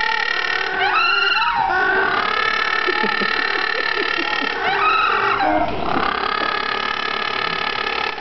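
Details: A little penguin at Penguin Island, Western Australia, brays loudly and without a break, a harsh, wavering, harmonic-rich call with two rising, swooping bursts about four seconds apart.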